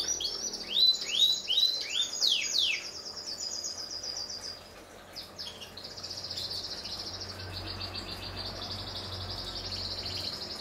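A canary sings a run of quick, looping whistled sweeps, several per second, then shifts into long, high, rolling trills over a faint low hum.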